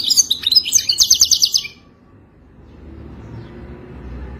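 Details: European goldfinch song used for mating and to help a captive goldfinch learn to sing: a fast burst of high twittering, tinkling notes lasting under two seconds, then quiet low background hum.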